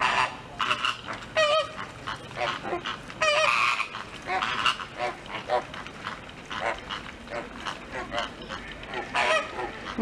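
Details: Captive American (red) flamingos at Novosibirsk zoo, a group of about fourteen of similar age, squabbling with one another on 15 September 2023 in loud, nasal, goose-like honks, overlapping in quick bursts with a few clearer rising calls; faint human voices behind.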